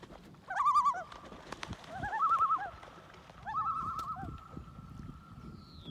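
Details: Common loon on a lodge lake in summer, a mother chasing two intruders off her lake, nest with two eggs seen in June; three quavering, wavering laughing tremolos with sustained tails, soft whispered voices and water noise beneath.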